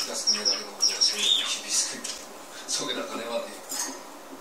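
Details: Varied tit calling. High, thin whistled notes, some drawn-out and some brief, mix with harsher, buzzy broadband calls in irregular bursts roughly every half second. The background is otherwise fairly quiet.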